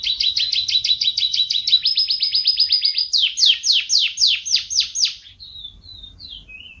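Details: Contest-winning canary: a long, rolling run of rapid, evenly repeated high notes changes pace twice. It ends with a series of louder, descending sweeps and a few soft, thin whistles.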